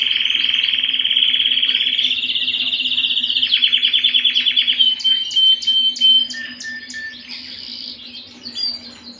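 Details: Canary at home delivering a long loud buzzy rolling trill, then a rapid pulsed series, a pure whistled note and short chirped phrases.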